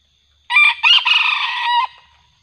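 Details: Junglefowl crowing during a session luring wild junglefowl with a decoy bird; one hoarse crow about one and a half seconds long, with two short opening notes and then a long, buzzy, even phrase that cuts off abruptly, over a quiet background.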